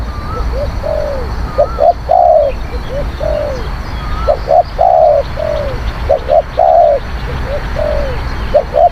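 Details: Spotted dove coos used to lure wild birds: a steady run of short and drawn-out low notes, several phrases overlapping, with a thin whistled note repeated faintly above.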